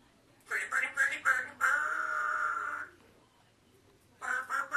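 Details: Pet African grey parrot talking indoors: a few short, voice-like harmonic syllables, then a long, steady, nasal tone held for over a second, a pause, and another burst of quick speech-like syllables.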